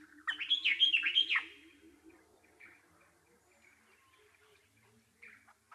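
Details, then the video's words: Nightingale singing a loud phrase of three or four quick, looping, slurred whistles, then only faint chirps. A low, pulsing hum runs underneath. "Bulbul Sounds"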